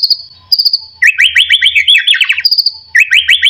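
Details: White-rumped shama lure recording for getting shamas to sing: a steady high buzzing trill alternates with quick runs of rolling, chattering whistled notes, repeated twice over a faint low hum.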